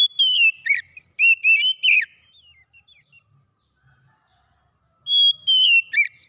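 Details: Oriental magpie-robin song offered to prompt a silent bird into singing: clear, rapid whistled phrases with sharp chirps and slurred notes for two seconds, a pause with faint soft notes, then a bright whistled phrase resuming near the end.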